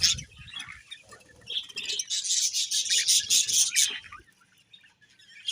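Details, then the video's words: Budgerigars chirp in a busy, buzzy high chatter that swells for a few seconds, then falls almost silent near the end. "Budgies Chirping Sounds"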